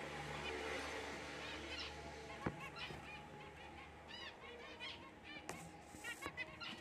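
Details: Black cheek jumbo zebra finch calling in brief nasal beeps, toy-horn-like and arched in pitch. They come in loose bursts, clustered most densely near the middle and end, with a faint constant low hum behind them.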